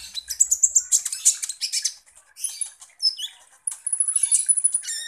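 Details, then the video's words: A sunbird called kolibri ninja, vocal and active, recorded to serve as a lure for other birds. Dense, high twittering runs, brief gaps, then a thin sustained high trill with crisp chirps. "PANCINGAN kolibri ninja GACOR"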